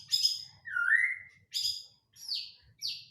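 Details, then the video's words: Song of a white-rumped shama, played as a lure to get another shama singing: a long, smooth, rising whistle followed by loud, rich high bursts and sharp descending slurred notes, with short pauses between phrases. "Mancing suara burung murai batu"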